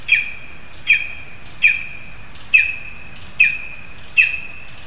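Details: Lesser spotted eagle in Latvia's Zemgale region, perched in a spruce as a frog is given to the young; six sharp, high, slightly falling yelps spaced somewhat unevenly, a steady hum underneath.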